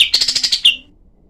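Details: Cream-vented bulbul, kept as a tutor for other songbirds, known for rough-voiced, tightly packed, sharp bursts: a quick string of about eight high, clipped notes, ending with one slurred downward note, then silence.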